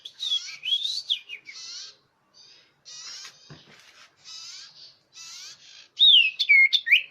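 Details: Common iora lure call, described as clear and loud: buzzy, harsh bursts alternate with bright upslurred and downslurred whistles, ending in loud looping whistled notes.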